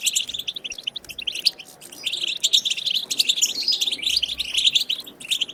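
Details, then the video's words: European goldfinch wild twittering song, played to stimulate goldfinches to sing. Busy high chirping with ringing trills and rapid buzzy runs continues almost without pause. "بتبتة خلوية جديدة لتحفيز الحسون على التغريد بتبتة خلوية لتحفيز طيور الحسون"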